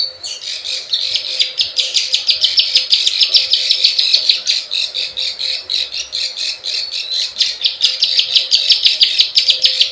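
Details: Plain prinia calling in the 'klik klik ciwah' lure style used to attract wild birds: dense, rattling buzzy notes repeated rapidly over ten seconds, overlaid with crisp high ticking clicks.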